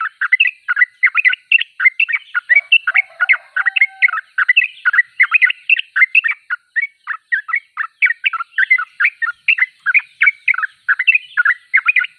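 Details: Sooty-headed bulbul in full song with a long, unbroken stream of fast, bubbling chirps. A short steady lower tone sounds once near the start.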